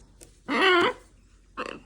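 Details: A pet male macaw, just after playing and throwing his toy away, gives a loud, half-second wavering squawk with a rising-and-falling tone, then a shorter, harsher squawk a moment later; a person speaks quietly nearby.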